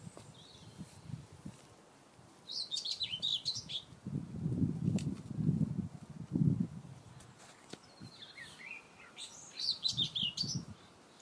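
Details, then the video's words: A common whitethroat gives two short, scratchy, high chattering bursts about six seconds apart, over a low rumbling background noise. "Whitethroat SOUND Effect"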